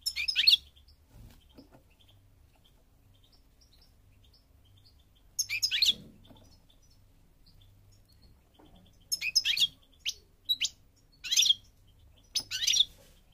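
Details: European goldfinch of the parva form from Morocco, North Africa: short bright twittering bursts separated by long pauses, then a cluster of quick high chirps and trills in the last few seconds, over quiet low hum.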